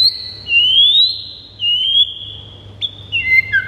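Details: White-rumped shama song used to provoke pet birds: long, pure, high whistles that slowly rise, separated by short pauses, closing with a few quick falling slurs.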